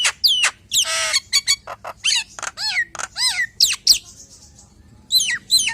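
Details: Nias hill myna singing to lure other hill mynas: sharp whistles, a rough buzzing burst, clicks, and a run of loud falling whistles, ending after a short pause with two more whistles.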